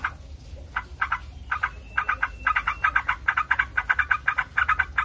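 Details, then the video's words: Sooty-headed bulbul, sound meant to set other bulbuls answering: after a quiet start, a quickening train of clipped chirpy notes, grouped in twos and threes and then nearly continuous, over a thin high hiss. "MASTERAN SUPER HANDAL AHLINYA BIKIN TRUCUK NYAUT RIBUT"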